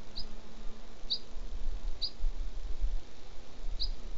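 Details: Flycatcher at its nest near Rascafría, 9 September 2016: four brief, thin, high chips spaced roughly a second apart, set against a steady low background rumble.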